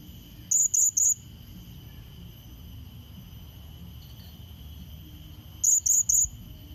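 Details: Blue-crowned hanging parrot lure call meant to draw in and challenge a rival: two bursts of three sharp, very high, shrill notes in quick succession, about five seconds apart, over a quiet background with steady faint high whine.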